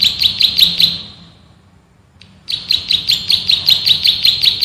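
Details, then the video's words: Male bar-winged prinia, known locally as prenjak sawah or ciblek sawah, in a training recording of dense 'ngebren' burst song: high sharp chirps repeated about six per second, a pause of about a second, then another fast run of chirps. "MASTERAN BURUNG PRENJAK SAWAH GACOR, NGEBREN TEMBAKAN RAPAT SUPER ISTIMEWAH"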